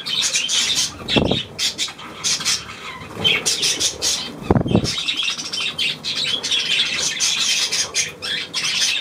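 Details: Budgerigar squawking and chattering in scratchy bursts, broken by two dull low thumps, possibly wingbeats or movement in the cage, with a quieter stretch around the middle.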